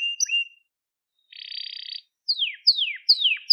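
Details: Crested Gloster canary: a couple of short whistled notes, a pause, a dense buzzy trill, then three or four sharp descending slurs in steady succession.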